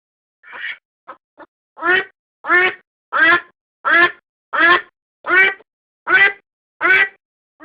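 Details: Domestic duck quacking, recorded to serve as a decoy: a few faint clipped notes, then a regular series of nine strong, rasping quacks roughly every 0.7 seconds.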